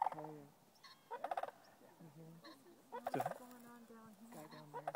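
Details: Sandhill cranes in a field near Rio Grande Nature Center State Park, Albuquerque, New Mexico, 18 November 2012, calling between groups: loud rolling, rattling trumpet calls in repeated bursts every one to two seconds, several birds overlapping.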